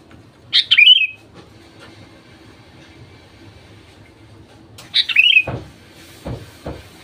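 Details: Sooty-headed bulbul song used as a lure to prompt other bulbuls to sing: two short, bubbly whistled phrases, descending and slurred, about four seconds apart, over low rumbling background noise and a few knocks.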